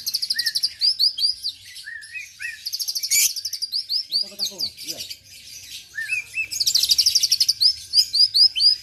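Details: Kept oriental magpie-robin of the Argal type from Aceh, Indonesia, singing a rich, varied song of high sweet whistles, rapid trilled bursts and short rising notes, with a brief low rattle near the middle.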